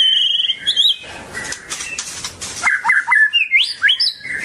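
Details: Long-tailed White-rumped Shama song, a varied run of clear whistles, some sliding up and down, broken by a stretch of clicks and rustles before fast warbled phrases return.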